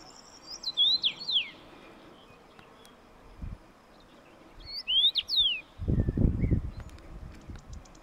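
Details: Common rosefinch repeating a sweet slurred whistled phrase twice, several seconds apart, with low rumbling bursts of wind or handling noise in between.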